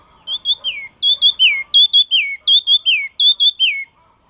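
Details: Yellow-cheeked tit singing loud, clear whistled phrases: a high steady note sliding down into a falling slur, repeated about five times in quick succession against a quiet background.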